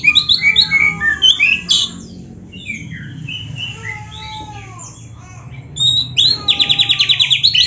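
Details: Oriental magpie-robin in rich song, used to get other magpie-robins singing: quick whistled phrases, soft downslurred notes in a quieter middle, then a rapid evenly spaced trill of repeated notes.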